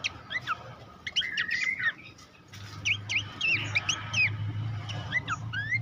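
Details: Horsfield's babbler song recorded for training competition songbirds: tangled whistled phrases with bending slurs and a drawn-out warbling stretch, set against a steady low hum in the second half.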